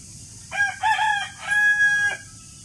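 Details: A morning rooster's crow in clean, tonal syllables: two short opening notes, then a long, steady, slightly descending final note, over quiet background.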